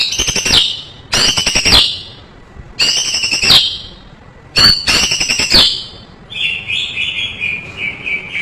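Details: White-rumped shama, a masteran recording full of isian fill-ins: four loud, harsh rasping bursts about a second apart, then a thin, rapid twittering trill.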